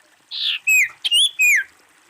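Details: Female common iora calling in a quick jumble of notes: a breathy burst, then several clear whistles, some rising and some falling, ending with a downslurred note.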